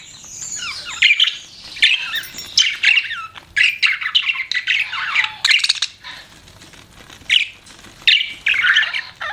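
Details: Budgies chattering in a steady, scratchy warble, with squawky buzzes and short sliding chirps coming in irregular bursts, some louder peaks between softer twittering.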